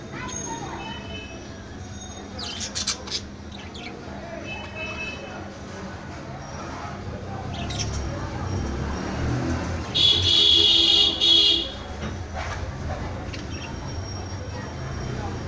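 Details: Budgerigars in a colony chatter in short, high, scratchy chirps, with one loud warbling burst standing out from the flock.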